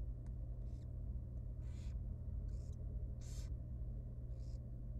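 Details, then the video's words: Begging from a very young wild barn owl nestling at feeding time in a research nest box: about five rasping hiss bursts, the fourth loudest, with a steady background hum. "Super tiny and young barn owl baby feeding time."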